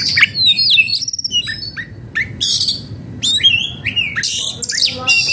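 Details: {'caption': 'Oriental magpie-robin in breeding condition and agitated, singing a rich varied song of whistled slurred notes, rising and falling phrases with harsh buzzy bursts, delivered in quick bouts separated by short pauses.'}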